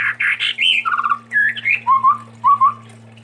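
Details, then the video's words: Chestnut-rumped babbler from Sumatra in lively song: a varied string of whistled and slurred notes, some trilled, ending in paired rising whistles. A low steady hum runs underneath. "Tepus Tunggir Merah Gacor"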